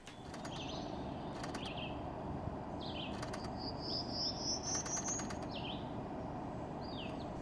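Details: A Prairie Warbler sings its thin, buzzy song of about eight quick notes climbing steadily in pitch, in the morning in spring near the Summit Knobs equestrian trail; other birds give short slurred chirps over a steady rushing background.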